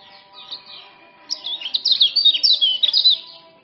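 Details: Male common iora song of the Lombok type, used as a tutor and lure: soft high chirps at first, then a loud rapid burst of sharp, sliding twittering notes for two seconds.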